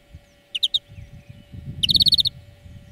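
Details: Greenfinch song played as a training lesson for birds: a brief ringing three-note burst, then a faster rippling trill of about nine bright repeated notes.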